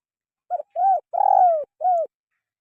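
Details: Single four-part coo of a spotted dove, used to stimulate lazy caged birds to sing: short coo, rounded coo, long trembling coo sliding down, then a final short falling note, clean and close.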